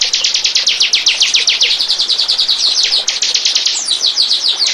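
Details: Bar-winged prinia song for attracting birds: a fast, dense rattle of high, sharp, downslurred chips that barely pauses.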